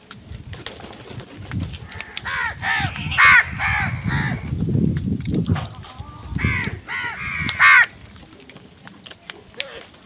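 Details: Amid a fight with wild birds over food, crows let out loud, raspy caws in two quick clusters of several calls each, with steady low rumbling noise underneath.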